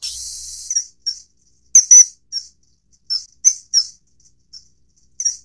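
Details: Common kingfisher (Alcedo atthis) at the feeding of a juvenile gives piercing, high whistled notes, often doubled, about ten in five seconds, after a brief burst of hiss at the start.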